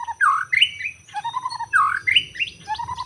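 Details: White-rumped shama singing in the forest, taped while bird trapping, Lombok noted: loud, rich whistled phrases that swoop upward, alternating with lower warbled notes in quick succession over about three seconds.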